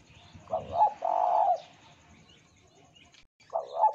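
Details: Spotted dove song used as a lure to get other doves singing: a low cooing phrase of two short notes run into a long, even coo. A second phrase begins at the end. Faint low rumble underneath.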